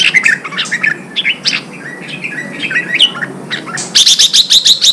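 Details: Contest-trained red-whiskered bulbul singing quick whistled notes and chips, ending in a loud rapid series of high, evenly repeated notes.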